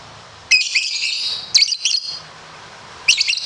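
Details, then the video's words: Competition lovebird delivering ngekek panjang: a loud, rasping high chatter lasting about a second, then a shorter broken burst and a fresh outburst at the end. "Masteran Loveberd Ngekek panjang"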